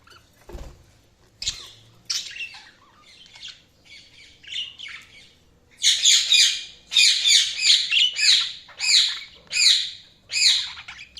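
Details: Budgies chirping: irregular high squawks and warbles at first, then a loud run of rapid, harsh, scratchy chirps repeated roughly every half second, several birds seeming to chatter together.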